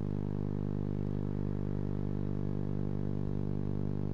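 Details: A steady low electrical hum fills the recording, with no animal sounds.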